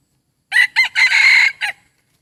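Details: Decoy chicken crowing loudly and clearly: two short bright notes, a long sustained middle phrase, and a short closing note, all in a broken four-part crow with a quiet background.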